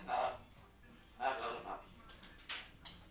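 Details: One of two grey parrots left alone at home in their room mimics human speech in short word-like bursts, ending with a few sharp, higher squeaks, against a quiet indoor background.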